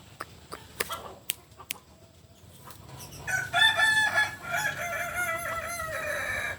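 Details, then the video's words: Crowing Kokok Balenggek cock from Solok, West Sumatra: after scattered clicks, a long multi-part crow begins, its syllables stepping up and down in pitch for over three seconds. "Ayam kukuak Balenggek"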